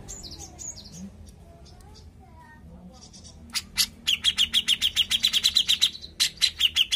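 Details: A Grey-cheeked Bulbul sings a lure song: a few thin, high whistles, then a fast, sharp chattering run of bright notes, about five or six per second.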